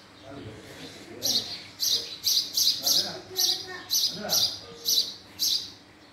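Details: House sparrow chirps, about ten bright, clipped notes repeated at a lively, uneven pace, with faint low murmuring in the background.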